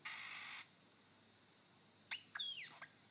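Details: A male superb lyrebird on his dancing mound in Sherbrooke Forest Park, Victoria, copies a rufous whistler: a brief harsh buzz, then a quick run of sharp, ringing whistles, some swooping steeply down, one sliding up then down.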